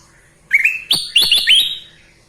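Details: Sooty-headed bulbul in lively song, delivering one bright whistled phrase of several quick notes that step upward and end on clear, sustained high whistles, lasting about a second.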